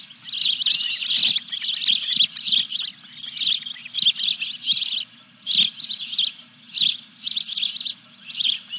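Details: High insistent osprey chirps in regular bursts roughly every half second to second, recorded at a Dunrovin Ranch nest during a fish delivery on 14 July 2021, low hum underneath.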